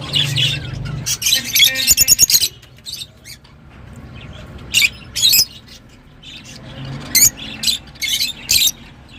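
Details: Lovebirds squawk shrilly, with a dense rapid burst early on, then separated sharp cries and a final cluster of piercing chirps.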